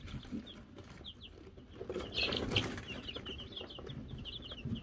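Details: Wyandotte chicks, silver laced, gold laced and gold laced blue, in May 2022 with a newly given bell: quick high cheeps repeated around three times a second, with a burst of flapping or scuffling in the middle.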